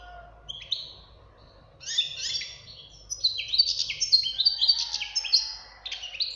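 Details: A young European goldfinch sings twittering phrases. Scattered chirps at first become a rapid, tinkling cascade of high, bouncing notes, and the song fades into a few final chirps.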